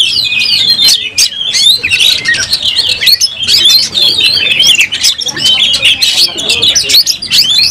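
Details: Oriental magpie-robin (kacer) in a fighting display with its tail opened, delivering a loud, hurried medley of piercing whistles, squeaky chirps and rattling trills, with frequent tapping clicks.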